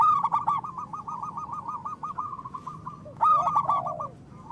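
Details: Local zebra dove calling as a lure for trapping and to stir quiet birds: a quick run of short repeated coos on one pitch, then a louder burst with a falling, drawn-out note, faint low hum beneath.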